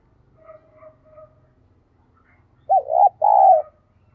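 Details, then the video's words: Captive decoy spotted dove calling wild doves in the morning: soft, faint coos first, then a loud burst of three mellow arched coos, the middle one long and drawn out. "Chim cu gáy mồi gáy gọi bổi mỗi sáng"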